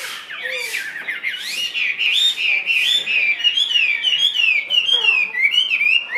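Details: Caged Chinese hwamei singing a continuous, varied run of loud whistled phrases that slide up and down, with rapid trills and sharp notes repeated at an uneven pace, plus faint lower chattering in the background.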